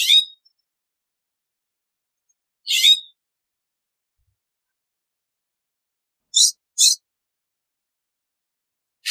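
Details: California scrub jay giving short, harsh, raspy notes at irregular intervals, a pair close together near the end, with silence between calls.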